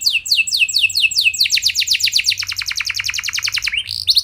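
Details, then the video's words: Canary rolling song aimed at making other canaries answer: evenly spaced high descending sweeps give way to a much faster, dense trill that dips lower before a bright final phrase. "Bakal Bikin Emosi Burung Kenari Lain Langsung Nyaut Gacor Ngeroll Panjang"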